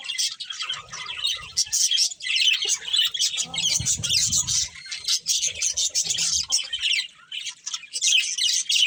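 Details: Breeding pair of budgerigars chirping continuously in dense, scratchy high-pitched warbles and squeaks, with brief low thumps near the middle.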